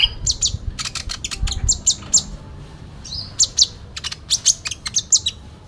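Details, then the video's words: Sooty-headed bulbul, full fighting song with fill-in phrases: dense bursts of shrill, clipped high notes and a few squeaky slurs, delivered in quick irregular runs. "Konin Dacok full isian tarung"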